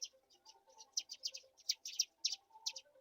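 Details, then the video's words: Black-shouldered kite chicks begging while being fed a mouse: sharp, high chirps and squeaks in quick irregular bursts, some doubled, over a faint steady low tonal hum. "Black-shouldered kite Baby Birds take all the wings on a mouse"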